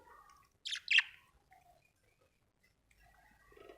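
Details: Happy pet budgerigar giving two quick loud chirps that sweep sharply downward in pitch, surrounded by faint soft warbling and low chatter.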